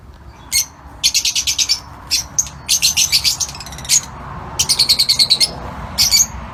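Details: Lutino Fischer's lovebirds in an outdoor aviary giving loud, shrill, high-pitched chattering, delivered in rapid bursts of five to eight sharp notes separated by brief pauses, several bursts in succession, against a quiet background.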